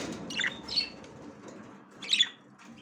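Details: Female budgerigar, ready to breed, trying to enter the nest for the first time; three short, bright chirps spaced over a few seconds against a quiet indoor background.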